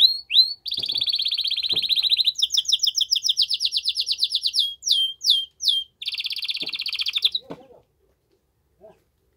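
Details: Canary's strong song for stimulating the female to mate: a long dense rattling trill, a higher buzzy roll, a few separate sweeping notes, another fast rattle, then silence with one faint click.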